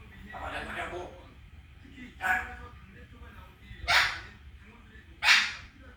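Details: Three-year-old pet parrot mimicking human speech indoors: four raspy, voice-like bursts spread over six seconds, the last two loudest and harshest, over a low steady background hum.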